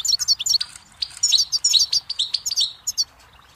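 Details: Lively goldfinch phrases of sharp, high chirps and slurred twitters packed closely together, slowing into a few separate notes at the end.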